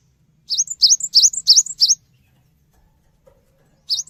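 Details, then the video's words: Cinereous tit singing, used as a lure to prompt other birds to respond: five quick high two-part phrases, each a sharp rising whistle then a brief higher note, followed by a pause and one more phrase. Faint low hum underneath. "GELATIK BATU GACOR | Pancingan Suara Burung Gelatik Batu Cepat Respon"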